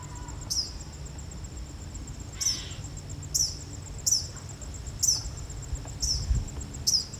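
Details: Eastern kingbird recorded in Massachusetts in July, giving short, sharp, high notes that each drop quickly in pitch. Six are spaced irregularly about one second apart, over a steady high insect-like hum and low background rumble.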